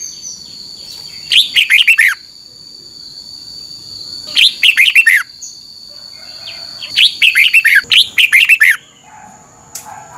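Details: Red-whiskered Bulbul training song in the doubled style, played so caged birds pick it up quickly. Bursts of fast, sweet warbling notes repeat every two to three seconds, the last burst running longer.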